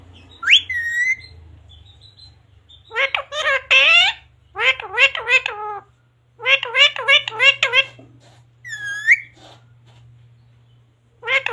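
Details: Indoor talking parrot repeating quick clusters of squeaky speech-like syllables in three or four bursts, with a rising whistle-like note between, over a low steady room hum, mimicking words such as "mummy papa".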